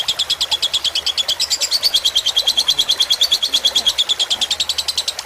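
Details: Fighter-type lovebird tutor recording mixed with gently running water: a long, even run of clipped high chirps, roughly three per second, louder in the middle, over a faint watery hiss.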